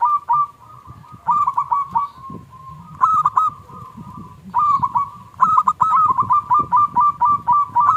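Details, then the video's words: Zebra dove of a local strain, a lure recording meant to set other doves singing; several rapid bursts of rolling, bubbling coos at an even pitch, separated by brief gaps, over a low background rumble. "Perkutut Lokal Gacor Suara KLUNG Kecil PIKAT Juara Pancingan Perkutut Macet Langsung Nyaut"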